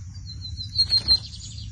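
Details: Lined seedeater (bigodinho) singing in a 2023 song competition season in Brazil: high, thin whistled phrase with three louder accented notes in quick succession, over a steady low rumble.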